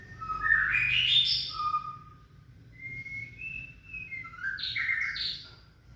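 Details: A white-rumped shama male and female are introduced in captivity, with the male cool toward her. A rich, varied run of loud whistles sweeps upward, followed by a series of shorter rising and falling whistled notes over a faint low hum.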